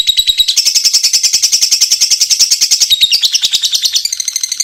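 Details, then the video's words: A lovebird, one of the most popular songbirds kept in Indonesia, gives a loud, unbroken stream of high, rapid chattering chirps, about three per second, with the tone shifting slightly near the end. "Burung Kicau Lovebird"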